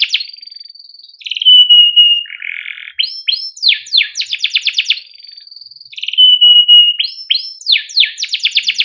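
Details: Canary song meant to coax juvenile canaries into singing; a long pure whistle, a low buzzy rattle, then bursts of fast repeated chirps, the whistle-and-trill pattern repeating, clean recording.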